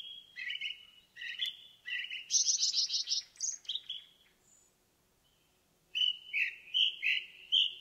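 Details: An indigo bunting (Passerina cyanea) singing in a forest: high, bright, slightly buzzy phrases with notes often doubled in quick pairs, a brief pause, then a fresh run.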